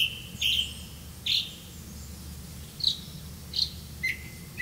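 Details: Black-bellied malkoha tending young in a nest: spaced single high chirps, short and slightly buzzy, roughly one every half to one second, ending with a thin level whistle, against a low steady hum.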